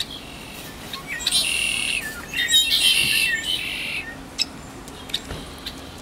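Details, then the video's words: Red-winged blackbirds, a flock perched in a tree at a Cupertino parking lot, produce overlapping buzzy, metallic trills and squeaky notes for about three seconds, then scattered short chips amid constant low background noise. "Red Tipped Blackbirds flock vocalizing in a tree"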